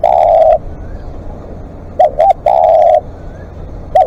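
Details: Spotted dove in long calling at a live decoy session: a drawn coo, a pause, then two short coos and another long mellow coo, with a quiet low hum.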